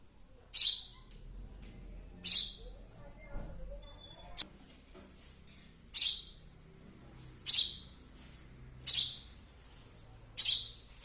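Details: Baby sparrow calling insistently with harsh, high chirps, seven calls spaced about one and a half seconds apart, with a faint thin whistle and a soft knock between them.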